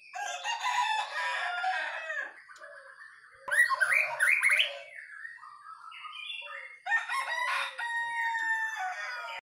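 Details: Caged white-rumped shama singing vigorously while set out in the early morning dew: dense, harmonic chattering bursts, a loud upswept whistle cluster midway, and a final long ringing phrase of stacked tones.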